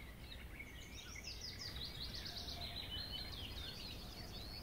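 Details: Larks singing over meadows and grasslands: an unbroken, rapid, jingling warble of high chirps and trills that runs the whole time, with steady rustling background noise underneath.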